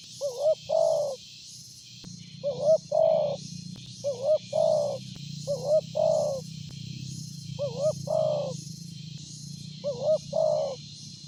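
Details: Loud-voiced spotted dove suited as a lure, cooing rapidly: six two-part phrases, each a quick warbled note then a drawn-out mellow coo, over a continuous low drone and a high insect hum.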